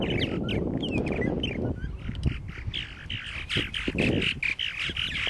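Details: Purple martins at nesting gourds, Lake Mackintosh, Gibsonville, North Carolina, captured by a Canon Powershot SX-40 HS; busy squawking and gurgled chirps from several birds, a low rumble early on, then clearer chattering and short clicks.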